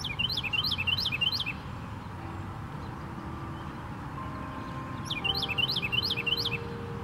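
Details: A Carolina wren sings in Tattnall Square Park on 1 January 2016, two bursts of four loud, rolling, high phrases with a brief pause between, over a steady low rumble of traffic.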